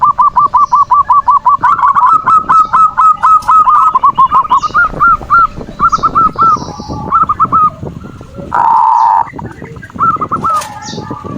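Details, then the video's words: Zebra dove song used as a lure to make lazy birds call and to provoke a rival: runs of quick, evenly repeated coo notes, then shorter broken phrases, interrupted by a harsh loud burst near the end. "Suara perkutut pancingan birahi dan emosi,the sound of turtle doves to lure passion and emotion"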